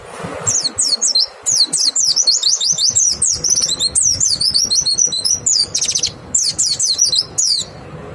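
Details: Clear, lively white-eye song serving as a lure for other white-eyes: sustained, rapid high chirping in tight repeated bursts, brief gaps between phrases, continuing for around seven seconds with faint low noise beneath.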